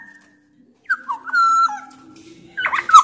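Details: Loud black-naped oriole song from Sumbawa, used to draw reluctant orioles into singing: after a near-silent start, clear fluty whistles step up and down, ending in a harsh, scratchy burst.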